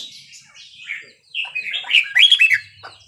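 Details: Red-whiskered bulbul in Burmese 3-4-5-6 style, played to young birds: scratchy, slurred whistles lead into a brief loud warbled flourish, quite fragmentary and short.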